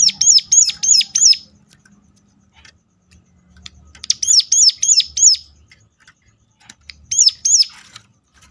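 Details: Sunda warbler repeating a sharp, piercing lure call for other birds of its kind: three bursts of four or five high, arched notes, separated by quiet gaps with scattered faint ticks.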